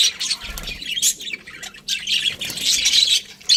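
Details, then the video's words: Several pet budgerigars chirping and squawking together, a dense overlapping chatter of harsh, scratchy high notes with brief pauses and a few soft low thumps. "Cute Budgies Chirping Sounds"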